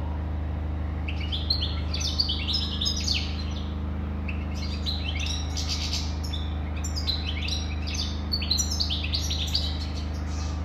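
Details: Long European goldfinch song in two extended phrases of fast, tinkling twitters, chirps and brief buzzy slurs, separated by a short gap, against a continuous low hum.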